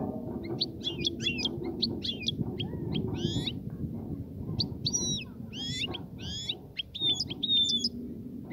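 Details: European goldfinch song meant to stimulate a female to mate and nest: rapid, dense twittering of high tinkling notes, liquid slurs and buzzy trills, run together almost without pause, over a low background hum.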